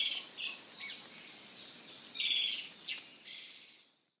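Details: Song of the Izu thrush, a rare Japanese island-forest thrush: short thin whistled notes mixed with harsh buzzy trill phrases and quick descending sweeps, fading out at the end, with light hiss behind.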